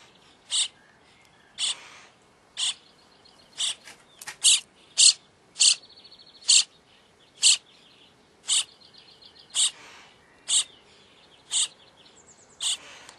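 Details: Starling chicks at feeding time: a steady series of short, dry, hissing rasps roughly once a second, with a brief quick cluster partway through.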